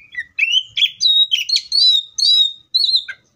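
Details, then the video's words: Oriental magpie-robin in the wild singing a rich, continuous phrase of varied whistles and short warbles, each note bright and clear, fading out at the end. "THIS COPSYCHUS SAUCARIS BIRD MOST LUXURIOUS SOUNDS LIKE IN THE WILD!"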